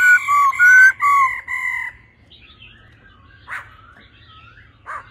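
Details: Laughingthrush pair, a calling female and a male singing in a mature wild-forest voice, being stirred to sing fast: four loud, sustained ringing notes, some with sliding whistles, then quiet, with soft scratchy sounds and two brief harsh notes.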